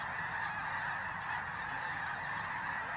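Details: Snow geese by the thousands fly in before dawn to join others resting overnight at Bosque del Apache, San Antonio, New Mexico. The sound is an unbroken, massed clamour of honking, with faint brief clicks.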